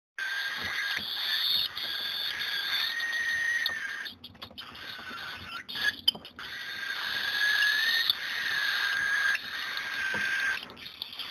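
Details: Diamond cockatiel chicks at feeding time give a continuous raspy, buzzing begging noise, broken by a brief pause and a few clicks.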